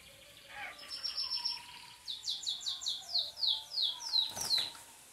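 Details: Belgian canary singing while sunbathing: a short high trill, then a series of about eight clear downward-slurred whistles repeated roughly twice a second, over a faint background hiss and a low steady hum.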